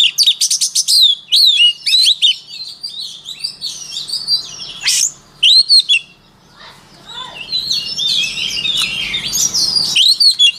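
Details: Voice-training song of a white-rumped shama: quick bursts of high twittering and whistled notes, a lull with faint scratchy sounds, then a dense run of varied high warbling.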